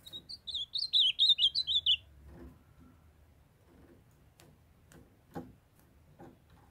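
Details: Kept young male ultramarine grosbeak singing while a female calls to warm him up. Two seconds of loud, rapid warbled whistles, about ten notes swooping up and down, then quiet clicks and taps from the cage.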